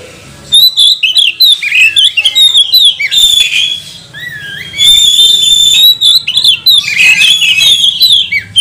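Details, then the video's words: Magpie-robin song serving as a lure to challenge rivals into song: varied whistled phrases with quick slurs, a long sustained harsh note near the middle, then busy scratchy twittering to the end. "Kacer mana yang gak mau gacor, buka ekor, bongkar emosi dengan pancingan kacer ini"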